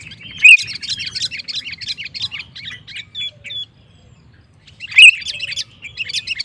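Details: Sooty-headed bulbul singing to rile up rival males: dense chattering, warbled phrases in two loud bursts separated by a short quiet gap, with a soft low rumble underneath.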